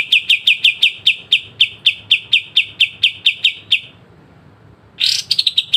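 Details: Pied triller giving a sharp, clear song: a steady run of about fifteen evenly spaced bright notes ending in a pause, then a fresh loud burst leading into more rapid notes. Other sounds are quiet.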